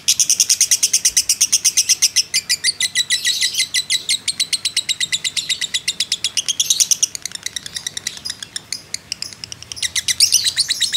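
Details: Long, unbroken ngekek from a fighter lovebird kept as a training model: a continuous stream of harsh, rapid, buzzy chatter rising and falling in loudness, with louder bursts at the start and end.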